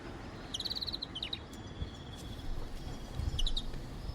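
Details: European greenfinches singing actively in the morning in Brindisi, southeastern Italy: background twittering, a quick run of bright, evenly spaced notes then shorter bursts, over a steady low rumble of wind or distant traffic.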